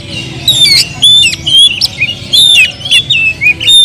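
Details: Oriental magpie-robin singing agitated, full-emotion song used as a lure to provoke other birds: loud, high whistled phrases with sharp rising and falling notes and harsh squawky bursts, delivered in quick irregular spurts.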